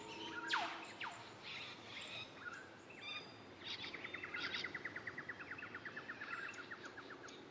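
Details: Lewin's honeyeater in Brisbane parkland, Queensland, Australia, in March 2024, often hidden high in thick trees. A sharp whip-like sweep and scattered chirps from other birds come first, then a fast, steady train of clipped notes runs for about three seconds.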